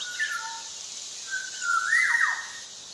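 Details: Black-naped oriole (Javan kepodang) in full voice: a soft level whistle, then a longer, louder fluted phrase that rises and drops away in a steep slur, over steady hiss.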